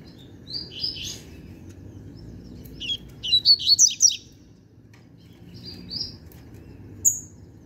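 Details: Young novice double-collared seedeater whose learned song is fully settled, delivering a burst of high, rapid chirps and trills around the middle, with scattered sharp notes before and after and a faint low hum behind.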